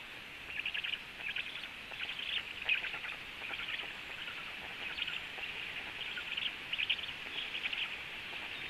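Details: Black stork female feeding frogs to her storklets at the nest; a near-continuous run of short, raspy high chattering notes, rising and falling in loudness over a steady hiss.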